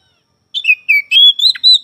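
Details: Oriental magpie-robin in energetic song, said to sing morning, afternoon and night: a falling whistle, then a long level clear note and wavering whistled phrases that follow closely one after another.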